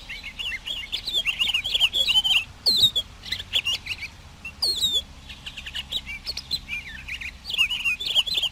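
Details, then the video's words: Pine grosbeak singing almost continuously, a lively mix of chirps, slurred whistles and buzzy trills, with a few louder clear downslurred notes standing out. "Canto del Camachuelo Picogrueso"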